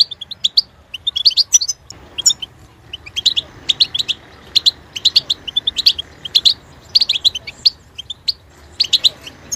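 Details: Caged European goldfinch delivering rapid tinkling twitters and chirps in uneven bursts, high and bright, continuing almost without pause over a soft low hum.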